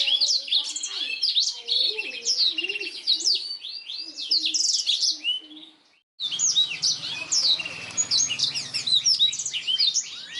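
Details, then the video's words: Master song of a black-throated canary for tutoring canaries; busy twittering and sharp whistled sweeps, a silent gap around six seconds, then a second burst of rapid high trills. "BLACKTHROAT GACOR SUARA JERNIH UNTUK MASTERAN KENARI"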